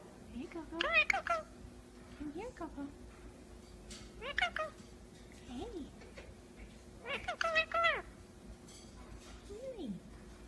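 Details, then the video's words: Pet Indian ringneck parakeet talking indoors: short bursts of harmonic, speech-like chatter with gliding pitches, four main phrases in ten seconds, with softer low sliding notes between them. "Talking Indian Ringneck Parakeet (Parrot) Talking, Kissing and being Cute"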